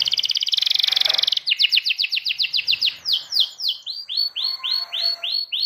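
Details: Canary song opening with a rapid dense trill, then a run of clipped repeated notes slowing into looping rising-falling whistles.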